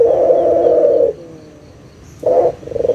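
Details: Lure call of a local Indonesian puter dove to restart calling in lazy birds: a sustained, throaty low coo lasting about a second, a pause, then two shorter coos.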